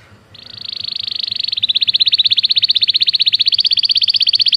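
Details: Belgian canary singing for training: one long, even, fast rattling trill of high notes, about four per second steadily, swelling in loudness over the first two seconds and holding steady.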